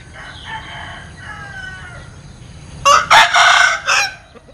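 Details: Strange-sounding crow from a Linh Kê chicken: faint wavering crows far off, then a loud near bout of clipped stuttering notes running into a harsh held note and a short tail.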